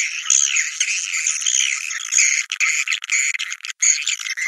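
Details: Swiftlet sound called Naga Merah, played to lure swiftlets to nests: steady high buzzy twittering with thin squeaky notes, nearly continuous with a few brief breaks.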